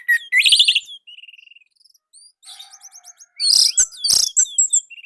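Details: Orange-headed thrush, Indonesia, a tutor song to stir quiet birds into singing. Rich whistled notes, a fast buzzy trill and scattered soft notes build to two loud, sharp chirping bursts near the end.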